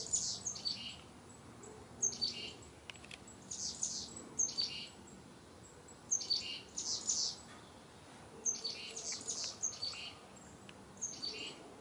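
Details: Chickadees among autumn-colored trees in fall 2021 give high, thin chirps and short buzzy call phrases in clusters every couple of seconds, over a quiet background.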